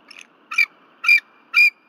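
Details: Female bald eagle on her Berry College nest at night, February 15, 2023, alarmed by something flying around the nest. Three drawn-out, shrill, slightly squealing notes about half a second apart, preceded by a faint chitter.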